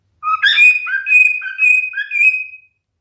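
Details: Singing male cockatiel delivers a single phrase of about two seconds, clear whistles with a long level tone and short downslurred notes.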